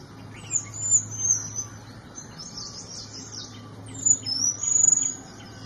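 Small niltava giving very high, thin whistles, some drawn out and slightly falling, in two bursts a few seconds apart, over a faint low hum.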